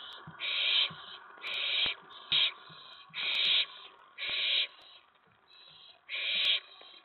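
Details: Excited owlet in a nest box, night of 19 May 2017, as an owl arrives at the tray after a mouse delivery; six or seven loud rasping screeches of varied length, mixed with soft taps and scratching.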